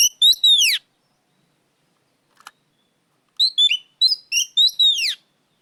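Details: Loud, clear oriental magpie-robin song: a short ringing phrase of falling whistles, a brief quiet gap with a small tap, then a longer series of varied whistled notes and arched, downward-sweeping slurs.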